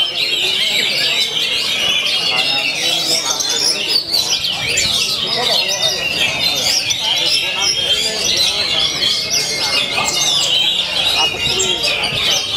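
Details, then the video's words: Kacer, or oriental magpie-robin, keeps up its continuous 'main dur' style song: a busy stream of sharp chirps, trills and high whistles with no pauses, over faint human voices and hum. "Kacer Artist, Main Dur Tiap Hari Anti Mbagong"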